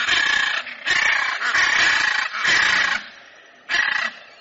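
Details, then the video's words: Hyacinth macaw giving loud, harsh, raspy squawks in four long bursts, each about half a second, with short pauses between, then one final shorter squawk after a quiet gap. "Arara Azul Cantando"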